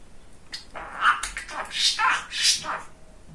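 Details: Male pet budgerigar, described as very chatty and funny, talking indoors: short raspy chattering syllables in quick bursts, some brighter tonal notes rising and falling, with brief pauses between phrases.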